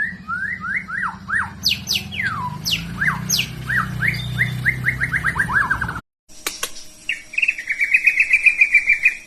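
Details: White-rumped shama of the Medan variety singing: loud, varied whistled phrases sliding up and down, then, after an abrupt break, a rapid buzzy trill of repeated notes, over a low steady hum.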